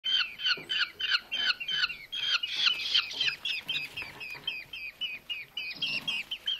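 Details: Two starving rescued Eurasian hobby nestlings, found in August on a road and fed at a Hungarian bird rescue centre, give shrill, rasping, squealing chirps about three times a second in a steady overlapping clamour.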